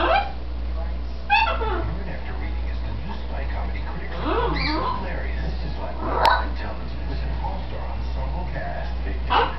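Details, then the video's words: Indoor female green-winged macaw chattering while she believes she is alone, with mumbled speech-like phrases broken by brief squeaky, sharper notes at intervals over a steady low room hum. "Green Wing Macaw Talks up a storm"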